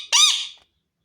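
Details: Pet parrot giving a single harsh, raspy squawk, rising then falling and fading within about half a second, in a quiet room.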